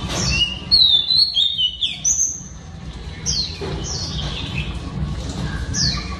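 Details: Singing female Oriental Magpie Robin, song meant to stimulate male birds: clear high whistles, a long slurred phrase early on, then spaced descending whistled notes repeated every second or so over a low background hum.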